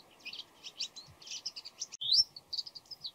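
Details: Bull-headed shrike calling before dawn with varied voices, possibly mimicking other birds: a rapid series of harsh chattering and squeaky notes, then a sharp rising whistle and more scratchy chirps, over a steady low background hum.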